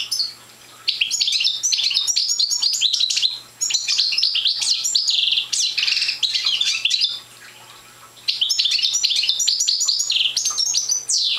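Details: A young goldfinch of the Parva race, its song not yet complete, sings several long bursts of quick, jangling twitters and trilled phrases separated by short silences of about a second.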